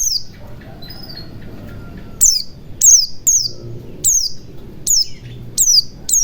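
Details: White-eye lure in forest style, for a bird that has stopped singing: after a quieter start with faint tones, a run of high, piercing, falling notes repeats about twice a second to the end.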